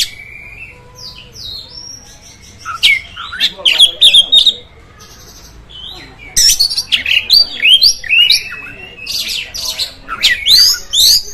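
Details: Oriental magpie-robin singing to provoke rival magpie-robins: scattered rising whistles early, then two dense bursts of quick, scratchy chirps and sliding whistled notes separated by a quieter gap.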